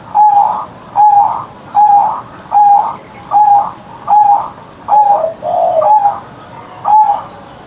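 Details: Morning song of a kept perkutut, or zebra dove, in the deep ngerot style. Even, rounded coos repeat about every three-quarters of a second, with one lower gurgling note slipped in near the end.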